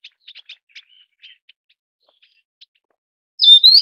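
Taiwan Yuhina: a soft run of quick, high chirps, single and in pairs, that ends in a loud, bright whistled phrase. No other sounds are heard.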